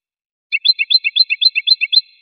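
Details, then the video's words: Goldfinch singing one quick trill of about a dozen bright, repeated high notes, each a short upward flick, delivered evenly in under two seconds. "Magic of the melody of the goldfinch's song"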